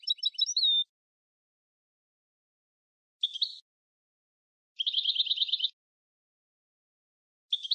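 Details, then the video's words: European goldfinch of the Tunisian Sfax song style (tarqa), recorded for tutoring: short bursts of high, liquid twittering separated by long silences, the first ending in a drawn-out pure whistle. "طرقة حسون صفاقس للتصنيت"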